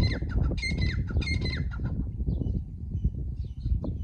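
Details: Partridge giving a quick series of harsh, nasal squawks during the first half, then fainter scattered chirps, all over heavy low-pitched rumble and handling-like noise.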